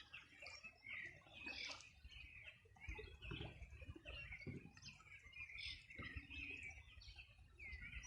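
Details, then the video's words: Several birds singing on a summer morning in 2020 on the bank of the Río Bueno, Los Ríos Region: overlapping bright chirps and short whistled phrases, with a steady low rumble of flowing water beneath. "Sonido de las aves a orilla del Rio Bueno"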